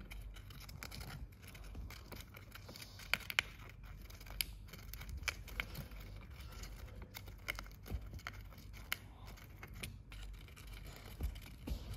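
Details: Scraping, rustling and sharp jangling clicks over a low rumble, with no animal voice heard.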